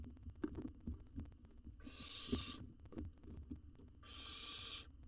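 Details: Wild young owl in an Israeli research nest box swallowing a jird; after a stretch of clicking and bumping, two drawn-out, noisy hisses follow about two seconds apart.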